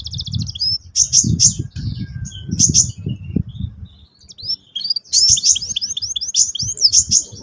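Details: Canary singing over low rumbling background noise: sharp high chirps early, then a stretch of rapid repeated whistled slurs and looping notes in the second half.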